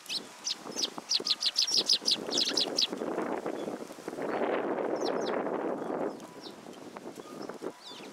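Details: Sparrows arriving at a feeding platform at a Tenmangu shrine on 14 February 2023, coming to be fed; a quick run of bright, clipped chirps for about three seconds, then a broad rushing noise and a few scattered high notes.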